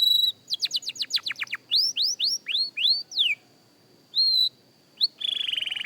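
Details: A young canary at singing practice gives a run of quick downward-slurred whistles, then upswept notes, a steep falling slur, pauses, a short whistled phrase and a closing buzzy trill.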